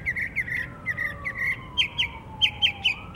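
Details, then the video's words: Northern mockingbird singing in Savannah, Georgia, on 12 October 2024; bright chirped notes repeated in quick series, then a higher, sharper phrase repeated several times, over a faint steady droning tone that slowly falls in pitch. "Northern mockingbird singing"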